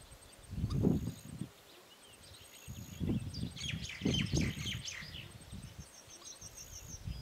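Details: Australasian swamphen (pukeko, Porphyrio melanotus) in New Zealand giving a run of harsh, screechy squawks, with low wind buffeting and faint high, thin calls of other birds behind it.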